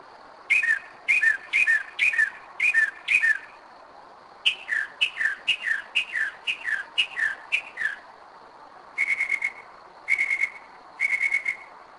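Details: Northern mockingbird at 2am in Kennesaw, Georgia, a bird returning yearly to the same place, runs through varied phrases: a series of repeated two-part chirps, then descending slurred notes, then three steady whistled bursts.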